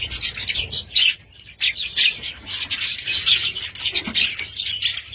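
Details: Household budgies giving a rapid, raspy warble of high chirps, broken by a short quiet gap before resuming.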